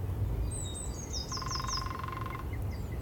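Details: A lesser spotted woodpecker in spring in Bushy Park gives a short series of thin, high, slightly falling 'kee' notes, about five a second, over a lower rapid pulsing trill and steady wind rumble.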